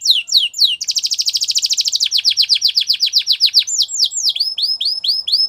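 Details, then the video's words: Gloster canary song used for training: quick falling chirps that run into a dense buzzing roll, then a long series of sweeping notes that slows into well-spaced, rising-falling whistles. "Gloster Canary Training | Canary Bird Sounds"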